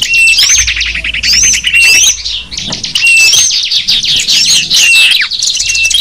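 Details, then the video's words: Lure recording of small birds meant to attract wild small birds: high, busy twittering with rapid chirps and thin whistled notes tumbling over one another almost without pause. "Suara kicau burung kecil"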